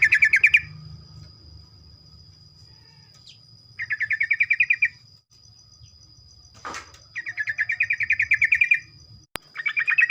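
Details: Morning song of a sooty-headed bulbul meant to prompt other bulbuls into rapid song: rolling, rapidly repeated chattering notes in bursts of one to two seconds, with quiet gaps between, a faint low hum and a steady high tone behind.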